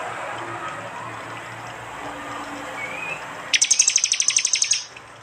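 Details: After a stretch of noisy background, a single fast trill of about fifteen evenly spaced high pulses bursts out; prinia 'tembakan' song, Android-recorded in East Java as part of a combined prenjak and jali sound mix.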